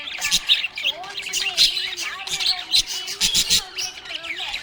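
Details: Happy budgerigar giving dense, fast chatter of high chirps, squeaks and short warbled notes in uneven bursts, with a faint steady low hum underneath.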